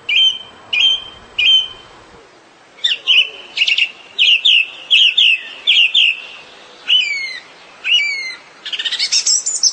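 A song thrush sings loud, clear phrases, each repeated two or three times: a ringing note thrice, then sharp whistled motifs and a final rapid chattering burst.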